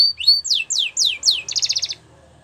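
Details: Canary song for training young birds: a clear whistle, then four loud down-slurred sweeping notes and a quick rattling trill, ending in quiet with faint low hum.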